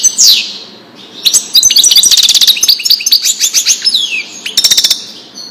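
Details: European goldfinch tutor song in the Widani style for young birds: a falling buzzy slur, then a fast jumble of liquid twitters, another long descending buzz, and a clipped rapid trill.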